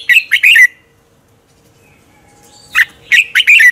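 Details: Morning dueling song of a red-whiskered bulbul meant to excite other birds: a fast, loud cluster of rich chirps, nearly two seconds of silence, then another run of sharp, warbling notes.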